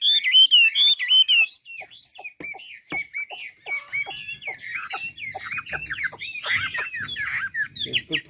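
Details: Chinese hwamei from Ha Giang, Vietnam, opening with loud warbled whistles, then a long stretch of quieter varied chattering notes mixed with sharp clicks, rising again toward the end.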